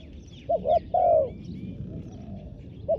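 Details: Spotted dove decoy calling wild doves: one phrase of two quick short notes and a long falling coo, then a lone soft note, with thin high chirps of other birds in the background.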